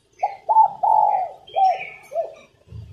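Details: A female spotted dove's coo, used to spur males into singing. A single hollow phrase with a clipped start, a long sustained middle note and two fading closing coos. Faint higher chirps are heard in the background.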